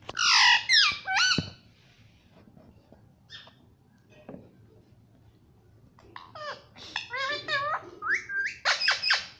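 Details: Pet ringneck parrot talking indoors in a small room: bursts of high, harmonic, speech-like squawks and chatter, with a quiet pause in the middle before a rapid run of bent, wavering notes.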